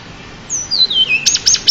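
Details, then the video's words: A champion pied bushchat, recorded to train other songbirds, sings one long high whistle that steps down in pitch, then a quick series of sharp chirping notes. "burung decu juara untuk master"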